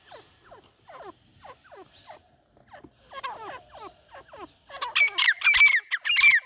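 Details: Partridge calling, a series of short descending chirping notes about twice a second, growing into loud, harsh, rapid broadband notes near the end.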